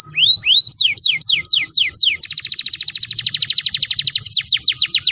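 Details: Canary in breeding condition, singing to encourage mating: ringing downslurred whistles repeated about three times a second, followed by a long, dense, fast trill and more swooping slurs.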